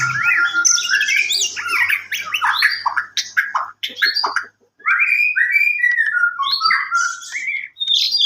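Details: White-rumped shama singing a rich, varied song of loud whistled phrases, rising and falling slurs and quick chattering notes, with brief pauses between bursts.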